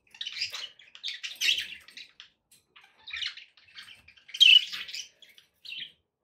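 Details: Pet budgerigars chattering, played to encourage a pet parrot to eat and sing: bursts of buzzy, scratchy warbles and chirps in short clusters with brief pauses between them, one louder burst near the end.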